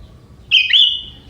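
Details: Song phrase of a young forest sooty-headed bulbul with prinia-type fill, a single loud, clear whistled note that dips sharply, then rises and trails off as a sustained tone, against faint background rumble.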